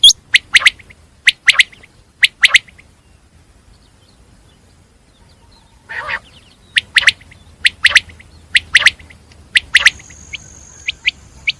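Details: Paired sharp notes from a common quail, a long silence, then a nasal, buzzy note followed by a run of clipped double notes and fainter single notes over a high whine.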